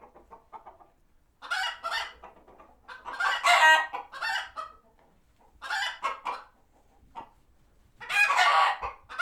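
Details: Flock of chickens at a farm sanctuary reacting to a passing hawk, retreating to their coops; bursts of loud harsh squawks and rapid clucks alternate with quieter short clucking notes and brief pauses.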